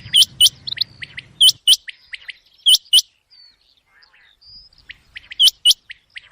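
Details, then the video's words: ['Common quail calling at night, played for quail hunting; loud, sharp, hooked notes come in close pairs, each pair followed by softer short notes, repeating about every 1.3 seconds; low hum during the first second and a half.'] "چنگے کی آواز رات کے لے"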